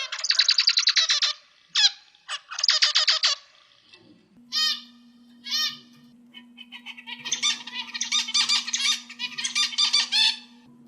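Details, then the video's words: Buzzy, nasal zebra finch song, used to train other birds: dense rattling bursts, separate sharp upslurred chips, then a long jumble of rapid stacked notes over a low steady hum. "suara asli zebra Finch"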